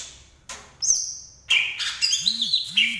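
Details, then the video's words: Green leafbird from Banyuwangi giving a long thin high whistle followed by a burst of warbled, buzzy notes. Low arching mechanical sweeps sound in the background. "Burung cucak ijo asli Banyuwangi yang paling banyak di cari"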